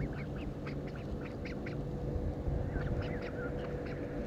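Mallards give rapid, overlapping nasal quacks and chattering calls, several birds at once, over a steady low rumble of background noise.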